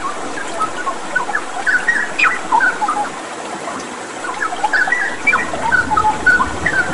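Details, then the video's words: Vigorous straw-headed bulbul song over a water-therapy backdrop, with clustered liquid whistles rising and falling in fast bursts, a brief lull midway, then more chattering phrases, all over constant watery hiss. "Masteran Cucak Rawa Gacor dengan Terapi Air"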